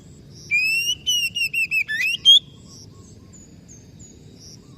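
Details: Caged white-rumped shama regaining its song after stress, giving a rapid series of short rising whistles ending in a higher upswept note, then quiet with faint high chirps.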